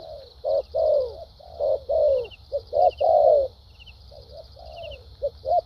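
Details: Spotted dove cooing in a contest, in the Vietnamese thúc gù and lèo dặm styles: short clipped coos alternate with longer falling, throaty notes in an uneven run. A constant faint high hiss is present throughout.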